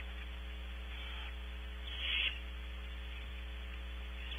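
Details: Owlet of a barn owl in its nest at Audubon Starr Ranch, California, on a nest cam: a single brief, rasping hiss-screech midway through, with constant mains hum underneath.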